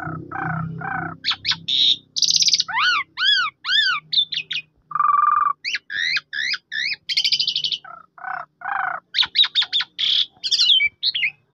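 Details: Lure song of an Asian pied starling, played to get a silent bird singing: varied mix of chevron whistles, raspy buzzes, low nasal hoots and fast high chips in quick succession.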